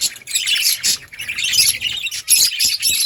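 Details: Budgerigar chirping, bursts of high bright twittering in quick succession, several birds overlapping.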